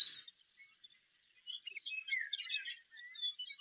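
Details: Savannah sparrow song in lush Montana grassland: a few faint, short high introductory notes, then two thin, drawn-out, insect-like buzzes, easily mistaken for a grasshopper.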